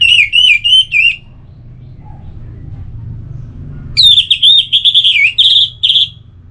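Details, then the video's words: Relaxed song of an orange-headed thrush: a short run of wavering whistled notes, nearly three seconds of quiet with low hum, then a rich, rapid sequence of high, slurred whistles and trills. "Anis Merah Bunyi Santai"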